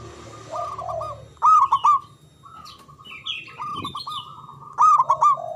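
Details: Local Javanese zebra dove with a long-breathed, loud voice, used to lure other doves into singing: soft lower coos, then two emphatic stuttering coo bursts, with thin high chirps from other birds in between.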